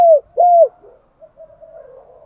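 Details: Spotted dove cooing as a lure for a freshly caught bird: the close of a phrase, a falling coo, then one smooth level coo dropping at its end, followed by faint low murmuring.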